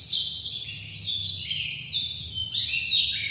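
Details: White-eye from Bali, known locally as pleci dakun, delivering a continuous, rapid warble of high twittering phrases that step up and down in pitch without pause.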